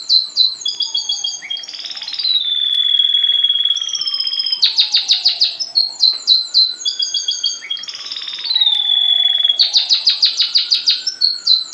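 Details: Canary being taught song from a tutor bird kept lower down: loud, high rolling trills alternate with long steady whistled tones, the sequence repeating twice, with a faint lower sliding tone beneath.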